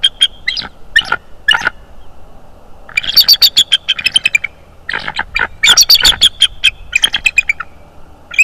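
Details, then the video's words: {'caption': 'Bald eagle vocalizing loudly at a nest in north-east Florida on 25 January 2022, recorded by a nest camera. Dense, high piping and squealing chitters run almost continuously in rapid series.'} "Bald Eagle Cam"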